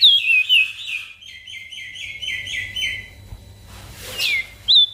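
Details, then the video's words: Javan grey-throated white-eye (opior jambul) singing energetically as a master recording for small birds: downslurred whistles, then a quick series of about eight similar short falling notes, a harsher swept call and a final high whistle. "Opior Jambul Gacor Untuk Masteran Burung Kecil"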